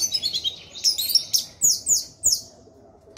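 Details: Orange-headed thrush in gacor song: a quick twittering run, then a string of sharp descending high notes spaced about a quarter second apart.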